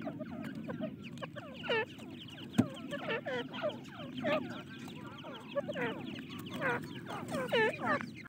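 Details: Several teetar (francolin) chicks calling together with soft, overlapping downward peeps, a few louder ones standing out, over a constant low hum and one sharp click.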